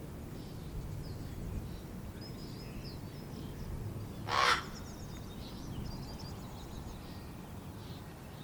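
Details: Young common ravens, hatched April 1st 2022 and fledged May 15th 2022, waiting for their parents to feed them, one growing impatient: a single harsh, hoarse call midway, with small birds chirping high in the background over a steady low rumble.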